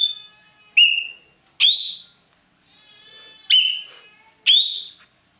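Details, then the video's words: Ekek keling roller, valued by Indonesian bird keepers as a loud tutor bird, uttering five strident, ringing cries, a couple with upward-sliding starts, spaced about one second apart with a faint hiss between. "burung ekek Keling gacor nembak"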